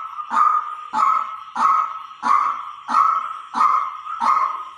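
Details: Regular series of seven rasping, nasal notes from a white-breasted waterhen decoy recording, each note struck sharply then held briefly at a steady pitch, repeating roughly every 0.65 seconds.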